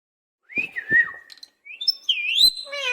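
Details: Caged parrot talking and imitating a cat's meow: a sliding whistled note falls then levels, a short gap, then rising and swooping high whistles ending in a harmonic, meow-like wavering tone.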